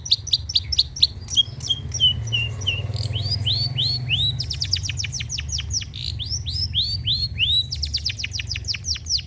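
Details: Long-tailed shrike song, used to coax silent shrikes into singing and to tutor them: rapid clipped chips give way to a long run of fast, downward-sweeping whistled slurs, then more chips.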